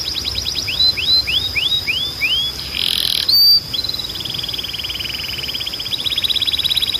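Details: Canary song used for training other canaries and stimulating young birds to sing: rising whistled slurs repeated about twice a second, a brief buzzy burst, then a fast rattling trill of rapid notes, all high-pitched.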